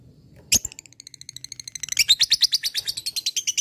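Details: Fighter-type lovebird singing ngekek while calling an opponent: a sharp squeak, softer notes, then a rising, accelerating high chattering trill that grows louder and keeps going.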